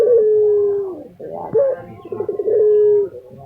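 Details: Kept lutino Barbary dove in Indonesia calling vigorously. A long level low coo fades, then a short upward-swooping note, a quick burst of rolling pulses and another drawn-out steady coo.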